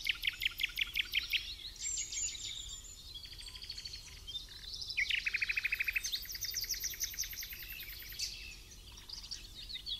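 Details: Background song of a Common Nightingale during a misty early-morning King's Day walk in the Amsterdamse Waterleidingduinen: varied phrases of rapid repeated notes, a bright buzzy trill and high whistled sweeps, changing every second or two.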